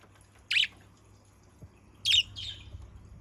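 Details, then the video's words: Two separate scratchy chirps from a budgerigar lure recording, the second followed by a softer trailing buzz, with a faint low hum between them. "Pancingan burung parkit PALING AMPUH"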